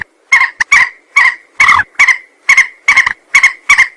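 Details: Rail lure call for trapping, made of loud, harsh, croaking clucks, single or doubled, repeated roughly every half second.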